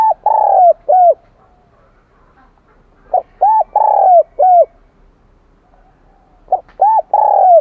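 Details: Wild-caught spotted dove with a high, bell-like kim đồng voice repeating its cooing phrase three times, each a short note, arched coos and a long sustained tone, separated by quiet gaps of about two seconds.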